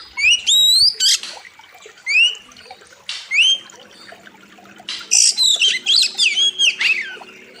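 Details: Training master of a loud, sharp oriental magpie-robin song with a wild river theme: rising whistled slurs mixed with harsh rasping blocks, then a rapid run of varied short notes near the end.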